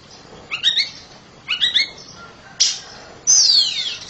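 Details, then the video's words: Oriental magpie-robin, a home-kept bird, singing loudly: two quick warbled phrases, a faint steady tone, a sharp burst, then a long bright descending whistle. "KACER RUMAHAN KICAUNYA NYARING"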